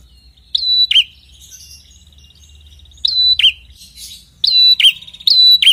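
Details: Red-headed prinia, a persistent singer used as a lure for other prinias: three bursts of a sharp note, a held high whistle and a falling buzzy note, with faint scratchy twittering in the gaps.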